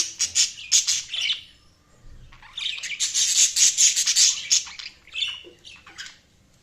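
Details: Several budgerigars chirp and squawk in quick harsh bursts, with a long stretch of busy chatter in the middle and softer warbles at the end.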